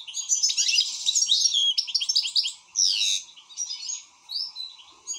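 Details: Excited European goldfinch singing loudly, a rapid jumble of bright chirps, buzzy rattles and sweeping tinkling notes in short bursts.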